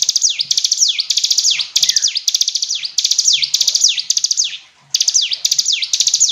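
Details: Hill prinia singing clearly: dense phrases of rapid ticking notes, each ending in a sharp high downward sweep, repeated almost continuously with one brief pause near the end.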